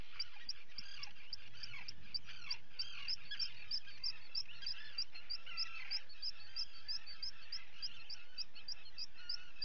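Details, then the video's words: Guillemot chicks being fed, recorded on 28 June 2020 by a colony live camera: steady, insistent high peeping, roughly three notes a second, above a low murmur of adult growling. "Feeding Guillemot chicks"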